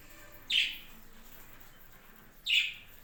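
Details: Captive budgerigars on a home budgie farm; two bright, scratchy chirps spaced two seconds apart rise above quiet twittering and a faint low hum.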